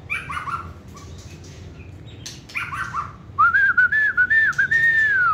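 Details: White-rumped shama, a caged, hand-tame competition songbird with a short tail, opens with a few soft chirps, then gives a loud, rapid, wavering whistled phrase that ends in a sustained, slightly rising note.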